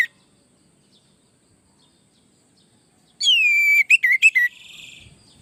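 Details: Orange-headed thrush in full song, used as a tutor and lure song to draw replies from other birds. After three seconds of silence, a loud whistle slides down, breaks into rapid choppy notes, and fades into a soft buzzy rattle.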